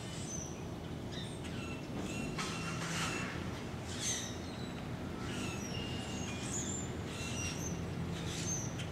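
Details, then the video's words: A flock of probably a few hundred Brewer's blackbirds congregating in trees along Little Fishweir Creek, November 11, 2015, 7:50 am: overlapping short high chirps and whistled notes, busiest mid-clip, over a steady low rumble of background noise. "Brewer's Blackbirds in Tree"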